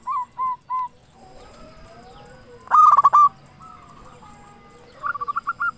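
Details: Local zebra dove with a big voice, singing as a lure for other doves: a few soft separate coos, then one loud stuttering cooing phrase, and a softer rapid trill of short notes at the end.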